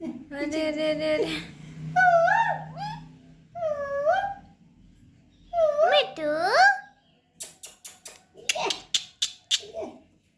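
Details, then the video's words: Baby parrot indoors making a series of nasal, wavering harmonic calls that rise and fall, in bursts about a second long, followed by a run of sharp clicking taps. "Talking Baby Parrot"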